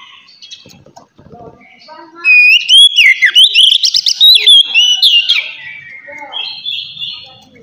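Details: Oriental magpie-robin giving ngeplong-style song to stimulate untrained magpie-robins to sing. Faint scattered notes lead into a loud run of varied whistles and quick sweeps from about two to five seconds, then softer trailing phrases.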